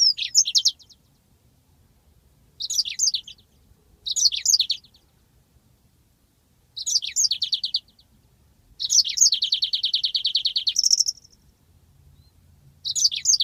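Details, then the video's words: Yellow-fronted canary master song for training birds: short bursts of high twittering notes come every second or two. One extended rolling trill runs about two seconds before a higher buzzy flourish, showing the long ngeroll style. Otherwise quiet. "masteran handal burung Mozambik ngeroll panjang"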